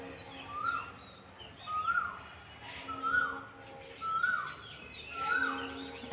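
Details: Asian koel in spring, late afternoon, near a flower garden, repeating a clear, rising whistled 'ku-oo' note about once every second and a quarter, over a soft background hiss.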